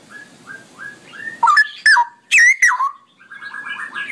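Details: Cucak rowo singing long ropelan song: a few soft rising whistles lead into a burst of loud, fluty, tumbling notes, then a quieter rippling trill.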